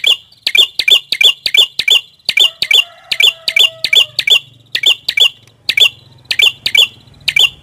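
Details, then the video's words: Prenjak kepala merah, a prinia, singing: a fast, slightly uneven series of sharp, high, ringing chip notes, nearly continuous. A faint low hum and a soft tonal sound run underneath. "Suara Burung | Prenjak Kepala Merah"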